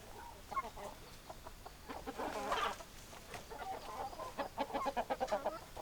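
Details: A busy flock of chickens gives rapid, overlapping clucks, about three per second, with a louder, drawn-out cackling burst near the middle and low farmyard rustle beneath.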